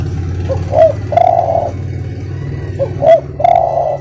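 A spotted dove gives soft, low coos in two phrases, each a short note followed by a longer drawn-out coo, over a steady low hum of traffic.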